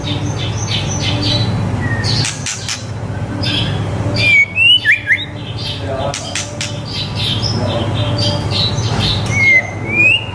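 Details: White-rumped shama song meant for teaching young birds: scattered chirps and clicks with a few clear rising whistles and a short bubbly burst midway, set over a low humming background.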